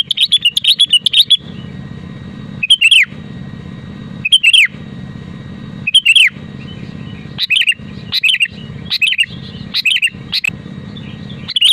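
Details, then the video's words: Sooty-headed bulbul in full, eager song, a genuine recording meant to coax other bulbuls into singing: short, bubbly, whistled phrases that rise and fall, repeated roughly every one to two seconds, over a constant low background hum. "BURUNG KUTILANG GACOR DENGAN SUARA ASLI AMPUH UNTUK PANTINGAN KUTILANG AGAR BUNYI"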